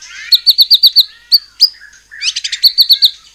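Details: White-rumped shama song used to provoke other shamas into singing: rapid series of sharp notes repeated about four per second, a few clear upslurred whistles, then a dense burst of chattering notes returning to the rapid series.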